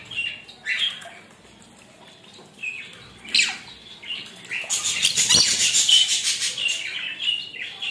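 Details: A rainbow lorikeet taking a shower and enjoying the moment gives short shrill squawks and chirps near the start and around the third second. A long hissing wash of splashing water follows, with more scratchy chirps over it.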